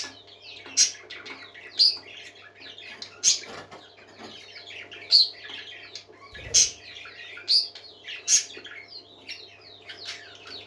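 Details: Happy parakeets chattering and warbling, with sharp bright chirps popping out every second or so and a single soft thud midway.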